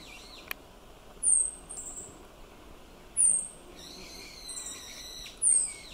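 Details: Meadow bunting recorded on 31 May 2022 with an Olympus OM-D E-M1 Mark II: three very high, thin, sharply falling notes spaced about two seconds apart, with fainter twittering between them over a soft background hiss.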